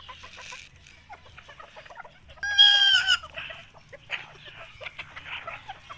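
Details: Pet bantam chicken kept alongside native chickens: scattered soft clucks and chatter, then one loud, harmonic, slightly wavering squawk lasting about half a second near mid-clip, followed by more quiet clucking from the flock.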